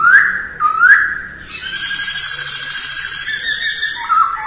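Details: Early-morning voice-training song of a masked laughingthrush: two rising whistled slurs, then a long rich, sustained phrase that falls away into a lower whistled note.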